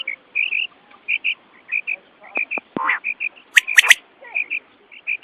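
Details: Night-time quail call used for hunting: steady paired high chirping notes throughout, broken by a harsh rasping burst and a cluster of sharp loud clicks midway.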